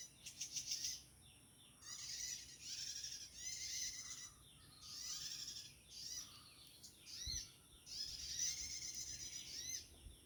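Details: Prinia calling in the wild, where many still live: short bursts of high, buzzy, chirping notes with descending slurred elements, repeated in phrases about a second apart, over a quiet natural background.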